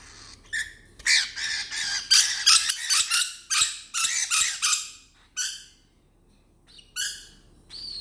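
A cockatiel chatters in a rapid run of harsh, scratchy, speech-like squawks, with a person speaking softly.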